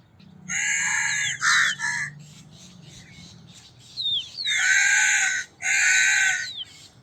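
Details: Crow cawing: four harsh, drawn-out caws in two pairs, each a raspy, nasal note just under a second long, separated by a pause filled with thin whistled chirps from small birds.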